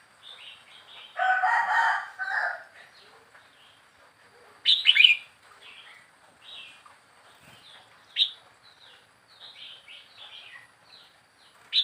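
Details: Young wild red-whiskered bulbul four weeks into caged life: a buzzy harmonic burst, then a sharp warbled phrase and scattered short whistled notes from several birds.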